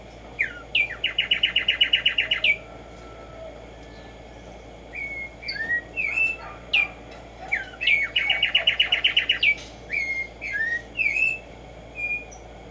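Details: Black-striped sparrow, Arremonops conirostris, in the wild in the morning: two bursts of a rapid, steady run of sharp repeated notes, each opened by slurred whistles and followed by scattered falling and rising whistled phrases.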